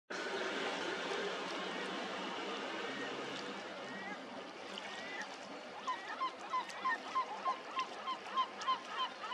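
Caspian gull giving a fast run of nasal, laughing calls, about three per second, over a dense wash of other gulls and colony noise.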